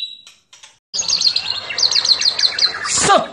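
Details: White-rumped shama fighting-style song: brief high notes, then a dense fast series of repeated high chips over a noisy background, ending in a downward slurred whistle.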